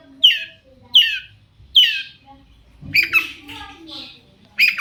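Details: Shrike song used as a lure to make other shrikes answer: harsh descending squawky notes about once per second, then a noisy chattering burst with rasping elements.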